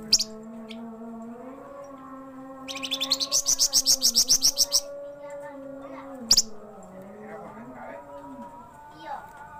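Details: Flamboyan songbird, described as singing actively day and night, produces one long, rapid, evenly paced burst of high ticking chirps, then a single sharp note, over a wavering low tonal hum.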